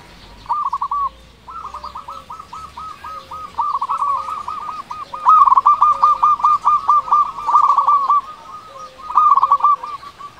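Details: Local zebra dove, a loud frequent singer used as a lure for reluctant doves: long runs of fast staccato cooing notes repeated in bursts, with a softer, lower cooing voice underneath.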